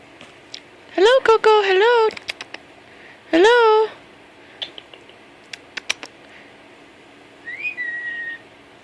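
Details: A pet Amazon parrot gives two loud, voice-like talking bursts, then a series of sharp, smacking kiss sounds and a short rising whistle; the owner talks about the bird giving kisses.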